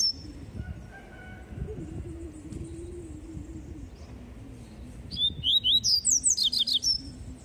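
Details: Double-collared seedeater singing its tui tui song: after five seconds of quiet background, a fast run of about ten sharp, high, slurred whistled notes comes at the end, with a low hum underneath.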